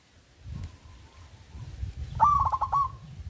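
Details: Local zebra dove, a loud-voiced singer used to lure lazy doves into singing: a faint coo, then one short run of rapid stuttering coo notes near the end, with low rumbling background noise.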